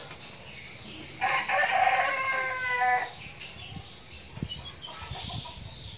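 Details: Crow of a young red junglefowl kept as a decoy bird in Bình Phước province, Vietnam: one loud harmonic call of almost two seconds, held then cut off, followed by faint taps, with steady insect buzzing throughout.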